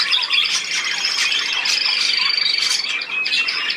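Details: Budgerigars twittering in a steady mass of high chirps, with a thin whistled note held across the middle seconds.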